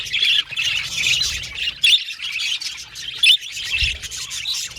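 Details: A group of budgies chirping and communicating with each other. The chatter is busy, high and twittery, with a few louder sharp chirps standing out and a short lull near the two-second mark.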